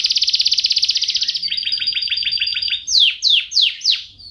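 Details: Champion canary song meant as a master and prompt for training birds at home: rapid buzzy pulses, then a level high trill, ending in four loud slurred downward notes.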